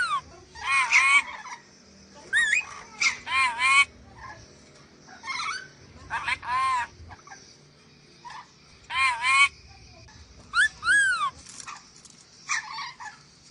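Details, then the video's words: Sulawesi lorikeet (nuri dora) in a bird-training recording: strident, buzzy screeches, some with rising or falling bends, delivered in short separate bursts every one to two seconds against faint steady background noise. "MASTERAN BURUNG NURI DORA SULAWESI"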